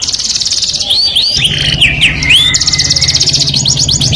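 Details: Melodious canary song meant to attract the opposite sex: high rapid trill, then a series of bright looping whistled sweeps, then another fast rattling trill, with a low steady hum underneath.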